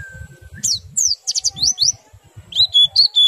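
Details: Oriental white-eye in nembak and riwik-style song, used to make other white-eyes join in: a soft low whistle, then a series of separate sharp, high downslurred chips and a few piping notes at the end.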